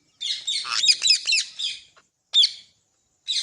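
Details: Green parrot at home chattering in a rapid run of harsh, buzzy, high notes for nearly two seconds, followed by a single sharp squawk and the start of another, after a person urges it in Hindi to talk.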